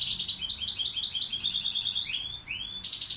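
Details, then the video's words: Balkan European goldfinch (Carduelis balcanica) tutor bird singing: rapid high twittering phrases, repeated buzzy notes and rising whistled slurs, bright and continuous without pause. "Carduelis balcanica učitelj... Izbrojite mu ture"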